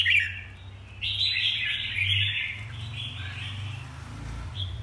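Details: Red-whiskered bulbul uttering a sharp note, then a longer run of warbled slurred phrases that trails off, over a strong steady low hum.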